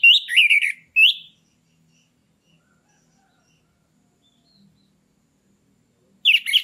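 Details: Lure song of an orange-headed thrush, meant to bring a stalled captive bird into breeding condition: a burst of warbled, slurred notes, a second short phrase, then quiet before another note starts.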